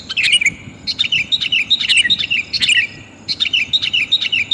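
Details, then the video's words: Female sooty-headed bulbul calling to a male, used to lure wild bulbuls outdoors: bursts of bright, high chirping notes in quick clusters, pausing briefly between groups. "suara kutilang betina memanggil jantan"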